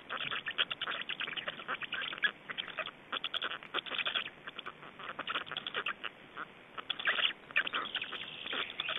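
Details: Estonian black storks at feeding time and changeover, recorded 25 May 2012; dense, hoarse, rapidly pulsed chattering in uneven bursts with short pauses, fairly loud throughout.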